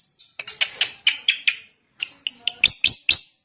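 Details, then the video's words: A drongo gives a lively phrase of rapid, buzzy chattering notes, pauses briefly, then finishes with a few crisp whistles and three loud, sharp chirps. "kicau burung srigunting"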